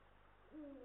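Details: Eurasian eagle-owl pair, male and female, at their Estonian nest on 18 March 2022, heard through a nest camera microphone: one brief, low, level hoot rising quickly at its start, faint against steady hiss.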